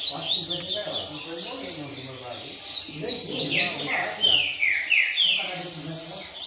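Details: Singing in the rain style, a caged double-collared seedeater in a circle of birds gives continuous high, clear downslurs in fast succession, interrupted briefly, while people talk quietly nearby.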